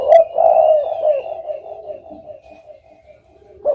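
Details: Spotted dove giving a low, hollow coo that starts loud and trails off into softer wavering notes over about two seconds, then quiet until a new coo begins at the very end.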